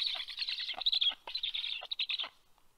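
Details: Black storks in Estonia, 23 August 2022, adult arriving with large fish to feed: high, harsh, wheezy chatter in rapid uneven bursts lasting about two seconds, then fading to quiet.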